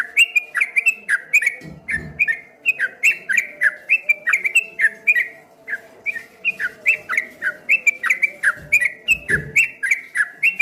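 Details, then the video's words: Streak-eared bulbul singing in the ropel ngombak banyu style: fast, continuous run of short whistled notes that slide down and rise again, each about a third of a second, with occasional low thumps in the background. "suara burung trucuk kebo bunyi ropel ngombak banyu"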